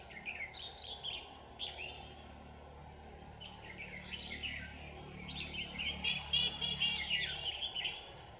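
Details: Red-whiskered bulbul acting as a trapping decoy, 25 November 2018, giving scratchy warbled phrases repeated in short bursts, with a fast high ticking in the background and a denser, louder run of notes near the end.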